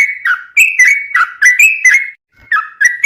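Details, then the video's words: Sooty-headed bulbul singing: short liquid whistled phrases around mid pitch, each dipping then rising, given in quick bursts with a brief pause near the end. "suara burung trucuk gacor bikin trucukan rajin berbunyi"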